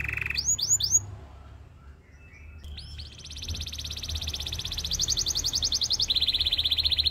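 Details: Belgian singing canary song for training other canaries: a few quick swooping whistles, a brief pause, then long rapid buzzy rolls held steady at high pitch, shifting slightly lower near the end; soft low hum underneath.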